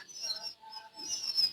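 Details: Quail chicks one day old in a brooder give a chorus of high, piercing peeps, with a softer lower tone in the middle and louder twittering at the end.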